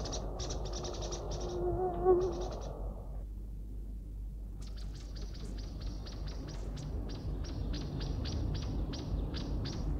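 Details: Song thrush alarm call warning of danger: a rapid run of sharp, dry ticking notes, about three a second. A voice and a low hum come before it.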